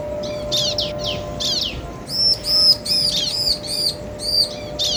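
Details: Bar-winged prinia, a male and a female answering each other, played to make other birds excited and sing. Sharp, high chirps and buzzy notes come in quick bursts, with a steady low electrical hum behind them.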